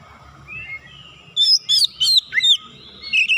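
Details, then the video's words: White-rumped shama rival starting to sing after provocation: quiet low hum first, then a loud burst of sharp whistled notes and downslurred phrases in rapid succession. "KACER LAWAN LANGSUNG PANAS NAIK EMOSI BONGKAR ISIAN SEKALI PANCING"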